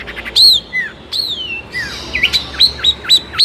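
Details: Long-tailed shrike song used as a lure recording to make other shrikes answer: shrill whistled notes, long falling slurs, then a quick run of hooked, upswept whistles about a quarter second apart.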